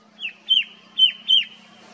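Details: Red-winged shrike-babbler in hill forest at Motidhar, Mussoorie, western Himalayas, giving its loud call: four sharp, high whistled notes, each ending in a quick downward flick, about half a second apart over a faint low hum.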